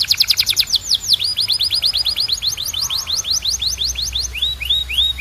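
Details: Canary song opening with rapid high clicking notes, then a long even series of short downward whistles, slowing toward the end into a few rising slurs.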